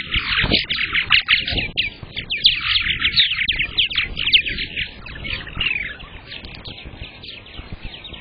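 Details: Purple martin at a nest cam during the season's first egg laying, May 15th, 2022: long stretch of continuous gurgling chatter with sharp chirps scattered through, fading slightly in the final seconds.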